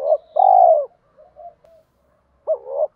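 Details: One long, rich, even coo from a spotted dove calling wild doves in, then a few soft murmurs and the hooked double opening of the next phrase.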